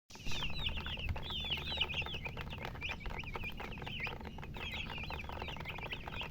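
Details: Many baby chicks peeping together, a dense chorus of short high chirps, some rising and some falling, overlapping continuously above a low rumbling background hum.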